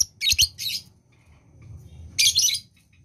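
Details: Lovebird in breeding condition giving short bursts of harsh, high chattering squeaks, two quick bursts then another after a pause, over a low background hum.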